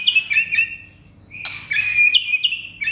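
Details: Captive-bird provocation song of white-rumped shama: varied high whistled phrases with rapid warbling trills and a sharp scratchy burst in the middle, against a faint background hum.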